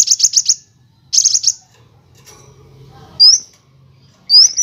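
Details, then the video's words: Van Hasselt's sunbird (kolibri wulung), recorded to teach other birds, in nyrecet, nembak and ngerol styles: two short bursts of rapid high trilling, a quiet gap, then two single sharp rising whistles. "MASTERAN KOLIBRI WULUNG, NYRECEKT NEMBAK, NGEROL BURUNG LANGSUNG GACOR"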